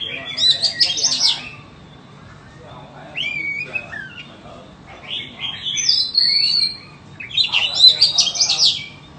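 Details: White-rumped shama, offered for sale, sings in separate bursts: a loud chattering phrase, a pause, short whistles and a drawn-out high note, then another chattering burst after a quiet gap.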